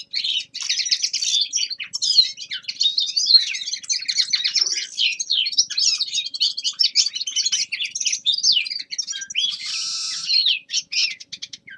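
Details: Winter warm-up singing of a young male common linnet: a long, fast, unbroken twitter of high chirps, trills and quick slurred notes, with a short harsh buzzy phrase near the end.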